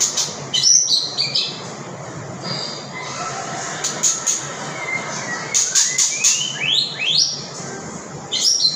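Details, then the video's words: Birdsong from several singers: clear whistled phrases, quick rising slurred notes and sharp high chirps over a steady background hiss. "chim hót"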